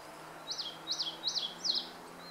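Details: Eastern crowned warbler singing, recorded 26 April 2014: four high, slurred notes, each dropping in pitch, repeated about every 0.4 seconds, over a faint low hum.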